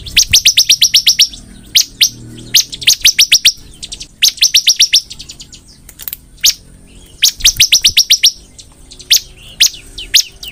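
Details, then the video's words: Bar-winged prinia singing actively, giving bursts of rapid, sharp, high chirps in quick runs of six to ten notes, separated by short pauses, with scattered single notes between the bursts. "burung ciblek gacor"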